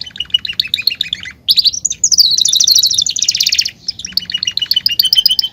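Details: Male Belgian canary, a caged songbird, singing to warm up other canaries. Chirpy repeated notes give way to a loud, fast rolling trill lasting over two seconds, then return to quicker chirping phrases.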